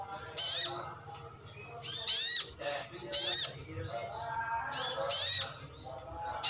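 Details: Brown-throated sunbird (sogon ngalas) kept as a pet, calling to draw replies from other birds: four loud, piercing high notes, each bending up then down, at regular intervals over faint hum.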